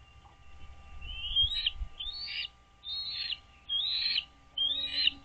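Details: American bald eagles at their nest on Dale Hollow Lake, a reservoir on the Kentucky-Tennessee line, morning in April; five high, thin, rising squealing calls, each under a second, spaced by brief gaps, with a steady faint hum.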